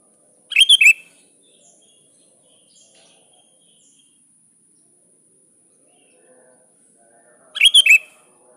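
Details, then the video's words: Sooty-headed bulbul calling a rival: two brief, rich, chattering phrases of rapid bubbly notes, about seven seconds apart, with quiet background between. "Suara Burung kutilang gacor memanggil lawan"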